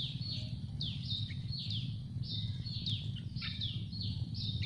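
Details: Several Yellow-vented Bulbul chicks in a tree nest beg for food with quick, high-pitched descending squeaks, given in dense back-to-back runs against a constant low background hum.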